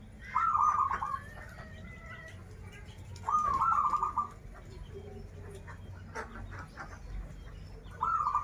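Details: Local zebra dove from Banten in full song, krital and warung kebek styles: a rolling, trilled coo burst of about one second, repeated roughly every three seconds, over a low background hum and faint clicks.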